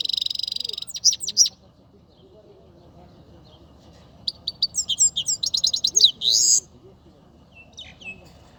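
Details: Saira, the Himalayan goldfinch, from Quetta: a high trilled phrase and sharp chirps open, then after a lull a longer run of rapid, tinkling, rising-and-falling twitters ending in a buzzy note, with a few soft chirps and low hum behind.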